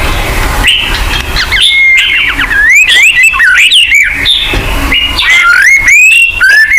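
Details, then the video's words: White-rumped shama song played as a lure for caged birds: bright whistled slurs rising and falling, broken by quick high clicks and sharp upsweeps. "pancingan burung murai batu agar bunyi"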